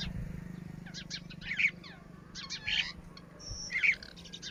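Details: High, piping calls from baby Red-wattled lapwings, in three short clusters roughly a second apart, over a faint low hum.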